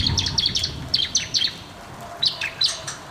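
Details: Bar-winged prinia, recorded as a prompt for birds that won't sing: rapid high-pitched twittering of sharp, down-slurred chirps, a busy burst, a short lull, then a few more notes.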